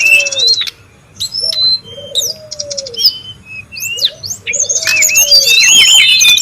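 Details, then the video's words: Wild Brown-chested jungle flycatcher: sharp high whistled slurs and short buzzy trills separated by brief pauses, with soft low falling whistles recurring, then building to a dense jumble of high notes at the end. "SUARA PIKAT DAN MASTERAN BURUNG SRDC(sikatan rimba dada coklat) RIBUT DI ALAM LIAR"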